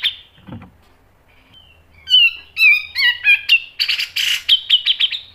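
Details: Grey-cheeked bulbul song used as a lure for training: clear, slurred whistles that bend up and down, then run into quicker, harsher notes repeated about twice a second.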